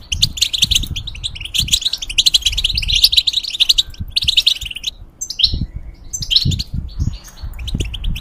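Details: Caged European goldfinch, a tutor bird for hybrids, singing a dense twittering run that ends in a few separate rising whistled notes, with low knocking sounds throughout.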